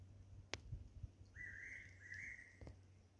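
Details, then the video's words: Fairy pitta singing mournfully from a pine tree at 147 m elevation on Nojasan, at a planned golf course site. It gives a clear two-note whistle near one pitch, the second note slightly higher, over low background rumble and a few clicks. "팔색조 울음터 노자산 골프장예정지 환경영향평가 식물상 조사한다고 표시해둔 소나무 위에서 팔색조가 애절하게 정말 애절하게 울었음."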